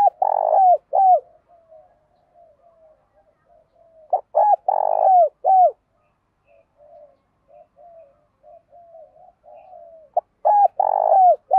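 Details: Decoy spotted dove, a captive bird with a well-patterned cooing voice used to rouse wild doves, repeating loud rolling coo phrases roughly every five seconds, each stuttering into a deep drawn coo, separated by quieter murmured coos.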